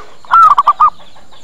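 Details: One zebra dove lure phrase meant to attract birds and draw replies: a brief soft note, then a long even coo followed by three quick short coos, all fairly loud.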